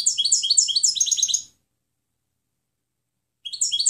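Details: Training song of a European goldfinch, delivered in quick chirping trills that slide downward, a burst lasting about one and a half seconds, then silence before the liquid twitter resumes.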